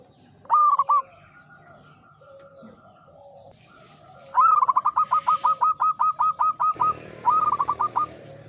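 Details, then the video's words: Local zebra dove, described as an old, mature bird singing steadily, gives cooing phrases near the same pitch: a short opening coo, then a long burst of about a dozen quick, even, bubbling notes, and finally a shorter rolling burst; faint background hum. "PERKUTUT LOKAL GACOR, MANGGUNG MENTAL TUA BANGKA"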